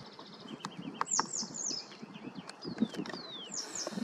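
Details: Western yellow wagtail (Motacilla flava) in Galicia, Spain, giving thin, high, down-slurred 'tsweep' calls, a few over four seconds, over a low rumble of outdoor background noise.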